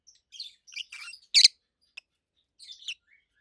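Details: Rosy-faced lovebirds, two healthy adult caged birds, uttering a short string of high squeaky chirps topped by one piercing loud shriek, then a brief softer chatter.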